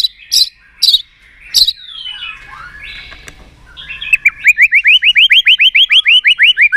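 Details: White-rumped shama song to stimulate others: a few sharp high notes, a soft jumbled middle, then a fast regular trill of rising whistles about three per second.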